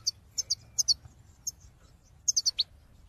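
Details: European goldfinch calling, used to prompt caged birds into song: high thin paired chirps scattered across the clip, then a quick run of four tinkling notes.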